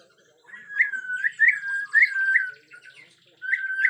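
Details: Whistled song of an agitated Bornean white-rumped shama with natural forest sound: a held middle-pitched note with regular upward flourishes, a short pause, then the pattern resumes.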